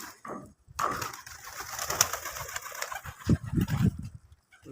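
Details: Deshi pigeon, putul golla type, cooing: deep throaty pulsed notes bunched in the last two seconds, after a stretch of rustling and hiss.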